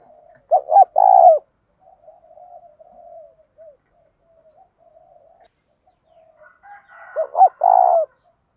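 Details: Captive decoy spotted dove calling to provoke fighting: loud, low, rounded coos in short bursts near the start and end, with softer, drawn-out murmuring coos between, and no other sounds.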